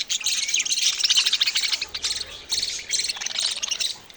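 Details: Baby budgies chatter in fast, high, scratchy chirp bursts, nearly continuous, with a slightly lower warble near the end.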